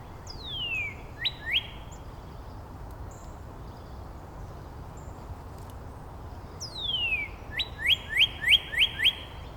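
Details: Northern Cardinals counter-singing between neighbours in Angrignon Park: a clear whistled note slides steeply downward, then two upward-slurred units follow. After a pause, another long down-slide leads into about six quick, rising, ringing units.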